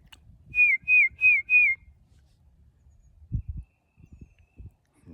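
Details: A Tufted Titmouse, distant, sings four clear, downslurred whistles in quick succession on a late-March afternoon in a Stillwater, Oklahoma backyard, followed by a few low thumps and soft background noise.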